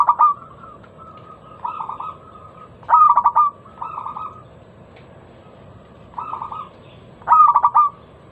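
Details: Local zebra dove lure song with a loud, crystal-clear voice, used to get other doves singing: short bursts of rapid staccato coos, loud phrases alternating with softer ones every one to two seconds over faint background hiss.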